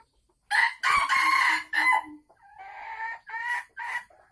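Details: Captive red junglefowl from Sumatra, recorded 24 December 2020 as a hen nears laying, a time marked by her cackling. Harsh, loud drawn-out notes come first, then a quicker run of three or four shorter rasping notes.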